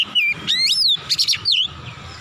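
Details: Heated, emotional oriental magpie-robin (kacer) singing its full repertoire: a loud mix of curving whistled slurs and a harsh buzzy chatter, packed into a short, dense burst.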